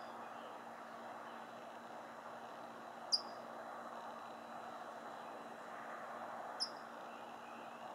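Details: A California towhee in Fairfield, California, near the Suisun Marsh, gives two sharp, high, metallic chip notes about three and a half seconds apart over a steady hiss of distant traffic.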